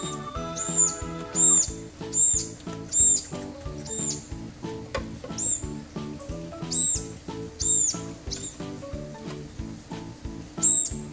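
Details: A young, hand-reared Brown-eared Bulbul, taken in unable to fly and fed by tweezers for one to two weeks, gives shrill, high squeaky begging chirps, roughly one a second, over steady background music.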